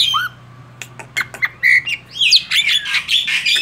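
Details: Tame male Asian pied starling singing in lively gacor style: a low rising whistle, then scattered sharp chirps, harsh squawks and a burst of dense, varied whistled and grating notes in the final second and a half.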